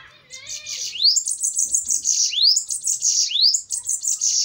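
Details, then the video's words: Bananaquit fight song: three high, sizzling buzzy phrases, each launched by a steep rising whistle, delivered back to back over a few seconds, with a faint lower note at the start. "DUELO DE SIBITES FOGOSOS!"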